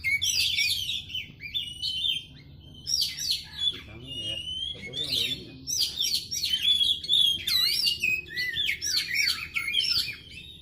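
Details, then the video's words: White-rumped shama (kacer) in continuous varied song of high whistled slurs and quick chirps; a person's voice is briefly heard midway beneath the song, with a low background hum throughout. "coba tes suara kacer ini di jamin kacer ada tida mau diam"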